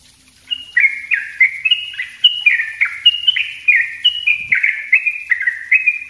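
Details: Yellow-vented bulbul singing dense 'ropel' song for luring and tutoring other birds: after a brief quiet start, a fast continuous chain of bright, stepping whistled notes alternating high and low.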